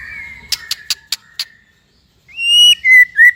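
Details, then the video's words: White-rumped shama song from a training recording for young and silent shamas: a level whistle with sharp clicking ticks, a pause, then loud clear drawn-out whistles, one sliding down. "MASTERAN MURAI BAHAN DAN MURAI MANDEK ( shama bird singing )"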